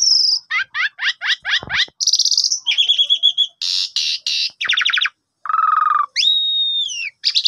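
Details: Varied Asian pied starling song for prompting a sulking bird to sing in the morning: a series of quick falling notes, buzzy trilled bursts, dense noisy rasps, a low whistle and a swooping double-toned phrase.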